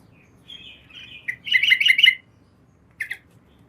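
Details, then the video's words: Yellow-vented bulbul female calling a male by night; a thin drawn-out note leads into a fast jumble of bubbly chortles, followed by a brief clipped note. "PANCINGAN TRUCUKAN ROPEL PANJANG SEKETIKA LANGSUNG NYAUT masteran burung trucukan malam hari"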